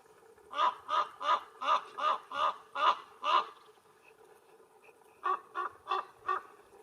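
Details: Common raven of the endemic Canary Islands subspecies (Corvus corax canariensis), Gran Canaria, July 2022, giving harsh, hoarse croaks, eight in a quick run, then after a pause four more, low-pitched and throaty.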